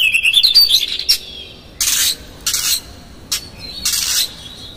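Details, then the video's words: Provocative Oriental magpie-robin song with coarse filler notes: a short wavering whistled phrase opens, followed by several broad harsh hissing bursts spaced under a second apart and a faint thin whistle near the end. "PANCINGAN Kacer GACOR seketika Buka Ekor KONSLET bongkar ISIAN KASAR agar KACER emosi"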